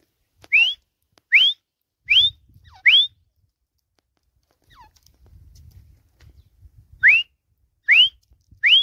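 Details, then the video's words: Captive desi francolin (teetar) on a swing perch gives clear rising whistles, four in a row about one per second, a pause with soft low rustling, then three more rising whistles. "Teetar ki Jhula Par Awaz | Dysi Teetar Ki Masti | تیتر کی جھولا پر آواز | Francolin voice"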